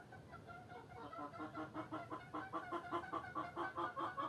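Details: Several hens cluck in overlapping short, pulsed notes that start soft and build in loudness, roughly three per second, over a low background hum.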